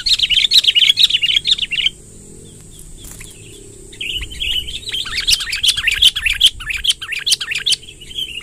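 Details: Sooty-headed bulbul delivering its long rolling 'ngerol panjang' song, played to draw wild bulbuls: dense bubbly warbling for two seconds, a quiet gap, then a longer busy stretch of chirpy, fluty phrases, with a constant thin high-pitched tone behind.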